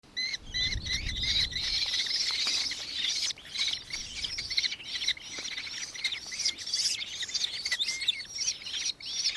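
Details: Nankeen kestrel in Victoria, Australia, recorded 4 December 2024: a shrill, rapid series of sharp repeated notes, about two or three a second, running continuously with slight pitch bends, over faint low rumbling at the start.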